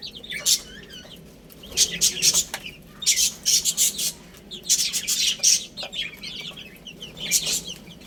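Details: Young chicks feeding and playing, giving shrill, piping chirps in clustered bursts separated by brief lulls, with faint tapping from pecking at food.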